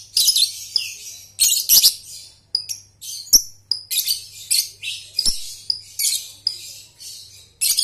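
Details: Lovebird ngekek chatter used to train young birds: a steady run of harsh buzzy high bursts, mixed with sharp whistled chirps, repeated roughly every half second for about eight seconds over a faint low hum.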